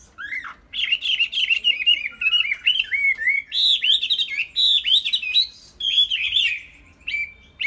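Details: Tame Chinese hwamei pouring out a long, loud stream of varied whistled phrases, rising and falling notes strung tightly together, with a few short gaps near the end.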